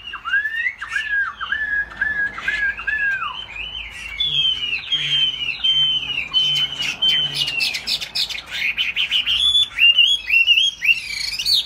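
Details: Singing laughingthrush, tail flapping, its tail broad like a fig leaf. Descending slurred whistles, repeated, give way to high arched notes and a quieter lower chatter, then dense, scratchy, bright phrases near the close.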